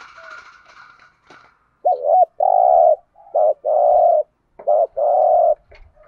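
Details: Spotted dove's urging coos, meant to stir other doves into calling, in 'thổ pha' voice style: three phrases, each a brief wavering note then a longer level hoarse coo, after faint higher tones at the start.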